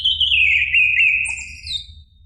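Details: Orange-headed thrush, a caged bird's song used as a lure: a loud, slightly wavering whistled phrase, then a quick high sweeping note that trails off.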